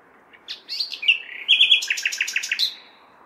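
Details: Common nightingale on a May night in a large city delivering one continuous phrase: scattered whistles, a held tone, then a loud series of about ten rapid repeated notes.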